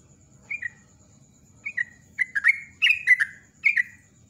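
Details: Sooty-headed bulbul used as a lure, singing ropel style: two spaced paired whistles, then a quickening run of bubbly, slurred notes that builds into a dense chattering phrase.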